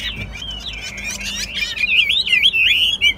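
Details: Caged Chinese hwamei, a bird praised as a keen singer and a good fighter: after a quiet start with soft notes and faint background hum, loud whistled phrases build, twisting and slurring up and down rapidly.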